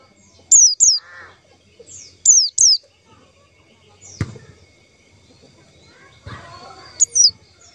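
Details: A lure call of the white-eye for trapping: pairs of high, downslurred notes repeated three times, with a thump and scattered softer chatter between.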